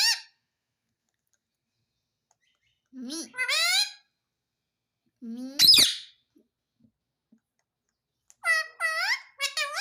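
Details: Pet Indian ringneck parakeet indoors saying "mummy": short squeaky parrot utterances spaced by silences, a few rising harmonic-rich bursts, then a quick pair of chirpy syllables near the end.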